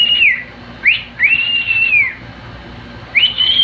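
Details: Male cockatiel kept as a pet, singing with a companion: a falling whistle, a quick upsweep, then a long drawn-out level whistle that slowly drops, and a final rising whistle.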